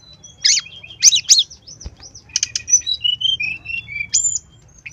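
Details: Lively song of a brown-chested jungle flycatcher, used to get other birds singing. Burry high notes at the start, then a thin, wavering run of soft whistles sliding gently up and down, ending on a high clear note.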